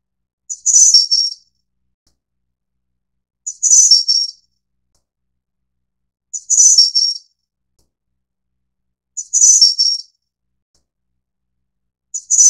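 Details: Ficedula hyperythra innexa, the Taiwanese snowy-browed flycatcher, repeating a tiny, high, lisping phrase of a few notes five times at regular three-second intervals, with no other sounds.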